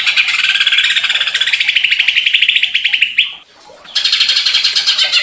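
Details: Greater green leafbird provoked into agitated, excited singing: a loud, dense run of rapid buzzy chattering notes around mid-high pitch, slurring upward before a short pause, then resuming in a fast twittering burst.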